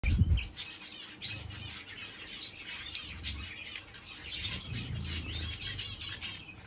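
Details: Village weavers in an outdoor mixed aviary keep up a steady, busy chatter of high, scratchy chirps and buzzy notes, over a faint steady hiss and occasional low thumps.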